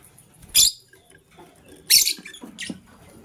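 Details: Green and blue lovebirds scrambling for vegetables in the morning; two loud, rasping high chirps about a second and a half apart, then a softer third, over quiet rustling.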